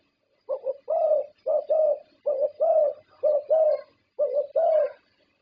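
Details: Contest-winning zebra dove from Thailand cooing: about eight soft, hollow phrases, each a brief note followed by a longer rolling coo, evenly spaced with short silences between.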